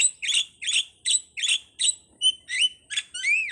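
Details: Starling, a captive or wild bird unstated, giving a run of harsh, chattering notes about every third of a second, mixed with short whistled slurs and a final rising-falling whistle.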